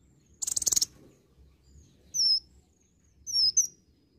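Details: Konin, the olive-backed sunbird, in lively song with varied imitations: a brief burst of rapid buzzy ticking, then two sharp, high, falling whistled notes, the last with a quick doubled flick at the end.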